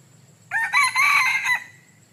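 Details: Red junglefowl rooster giving one harsh crow of just over a second, rising in pitch and then sustained before cutting off, over a faint high tone and low rumble.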